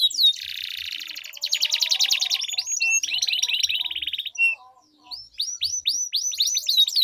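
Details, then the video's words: Canary duel with long rolling song to make stalled canaries sing: vigorous buzzy trills in blocks, a softer rattling roll, a short lull, then rising swept whistles repeated in series. "Duel Burung Kenari Suara Merdu Ngerol Panjang || Pancingan Ampuh Kenari Macet Gacor Ngerol Panjang"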